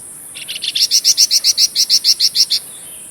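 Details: Vigorous song of a golden-bellied gerygone (flamboyan), used to tutor white-rumped shamas and magpie robins. About fourteen crisp, evenly spaced high notes, swelling in loudness and then holding steady over constant background hiss.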